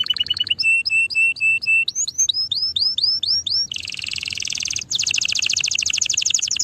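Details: A canary sings a series of crisp repeated whistled notes and upslurred chirps. It then launches into dense, fast buzzy trills, pauses briefly, and resumes with a steady rapid rattle.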